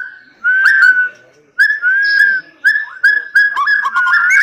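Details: Captive white-rumped shama at a breeding facility, giving loud, clear, drawn-out whistled notes, the first two long and level with short pauses between, followed by a run of shorter whistles.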